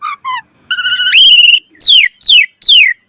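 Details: Asian pied starling (jalak suren) singing clear whistled phrases: two short notes, a long whistle stepping up in pitch, then three loud downslurred whistles about half a second apart.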